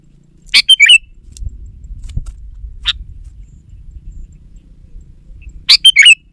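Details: Sooty-headed bulbul song played as a lure to draw out wild bulbuls and prompt reluctant birds to sing: two bursts of short, loud, chirpy whistled phrases about five seconds apart, with one lone note between and faint low rumble.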